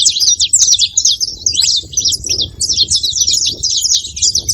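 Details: Saffron finch calling in quick, sharp high chirps strung together almost without gaps, a busy twittering stream over a soft low background hum.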